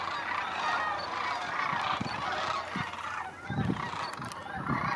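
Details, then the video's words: Thousands of sandhill cranes gathered in late August at Creamer's Field National Waterfowl Refuge, Fairbanks, Alaska, before migrating south, fill the air with overlapping rolling, trumpeting calls, a continuous flock chorus with a few louder bursts. "Sandhill Cranes"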